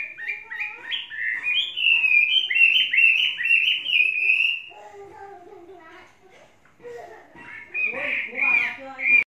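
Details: Tame Chinese hwamei of three seasons pouring out fast, varied whistled phrases for several seconds, followed by a quieter stretch with human voices, then renewed loud slurred notes.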